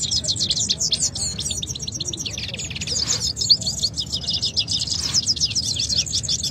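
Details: Two canaries in a singing fight in Quetta. A dense, high song of rapid rattling trills and buzzy repeated notes runs almost nonstop, with a brief pause near the middle. Faint low background hum.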